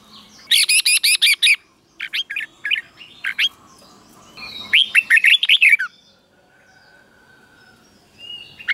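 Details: Red-whiskered bulbul kept in a cage, its doubled-style song played for training other birds: a burst of six crisp repeated chirps, then scattered short whistles, then a fluty warbling phrase that slurs downward at its end.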